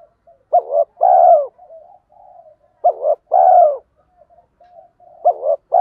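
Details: Spotted doves of both sexes calling to stir training birds. A steady series of low phrases, each a short double hoot and a long rolling coo, repeated about every two and a half seconds with soft murmurs between.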